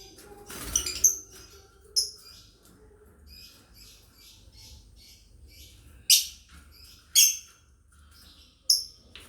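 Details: Lovebirds in a family group chirping, a master song for training: bright high chirps and squawks in scattered bursts, several loud sharp notes near the end, soft chattering between.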